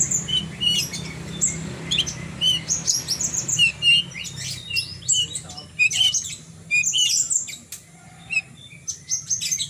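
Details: Horsfield's bush lark singing vigorously through a long sequence of high chirps, whistles and buzzy twitters in rapid bursts with short pauses, a low hum fading out partway.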